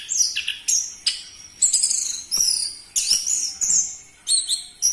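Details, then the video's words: Orange-headed thrush lure song meant to get kept birds singing: loud, high, rapid bursts of mixed whistles and squeaky notes, each phrase about half a second long and separated by short breaks. "Pancingan Burung Anis Merah Cepat Teler Suara Kenceng"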